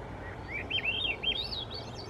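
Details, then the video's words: Swainson's thrush singing in the Squamish River estuary, a close, clear upward-spiralling song of rapid looping whistles that climb steadily higher through the phrase, over a faint low background hum. "Swainson's Thrush Singing"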